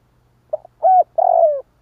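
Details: A single spotted dove phrase used to provoke wild doves: a brief low note, a held level coo, then a longer coo that slides down, all deep and mellow against a faint hum.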